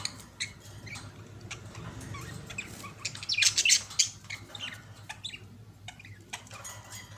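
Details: Two budgerigars kissing as a pair: a busy stream of high clicks and chirps that swells into a louder warbling burst midway, then eases back to sparse ticks over a steady low hum.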